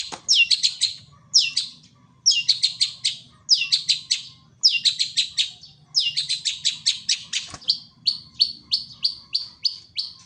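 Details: Wild songbird singing energetically in natural surroundings: high, bright chirps in rapid bursts of five or six notes, separated by brief pauses, then a steadier run of evenly spaced sharp notes toward the end, with faint low background hum.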